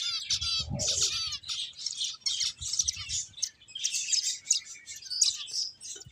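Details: Playing finches give rapid, bright, buzzy chirps repeated in short bursts about every half second, with a soft low thud near the first second.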